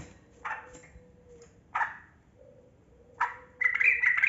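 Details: Vigorous song of a Yellow-vented bulbul meant to coax silent birds into singing: three spaced gurgling notes, then a rapid, bubbling run of chatter, over a faint constant hum.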